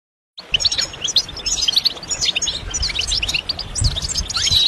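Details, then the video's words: European goldfinch song used for stimulation: a dense, fast stream of high, bright twitters, trills and tinkling notes running almost continuously for over four seconds, with faint low background rumble. "stimulation de chardonneret élégant"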